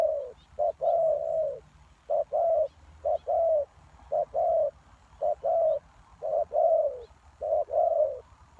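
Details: Spotted dove coos as a lure for wild doves: about eight phrases, each a brief note followed by a longer, gently falling coo, in a brisk and slightly uneven rhythm.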